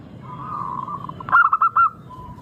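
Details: A local zebra dove's lure song: a sustained soft coo, then a short run of four or five bright, bouncing notes, fading back to a quiet hum.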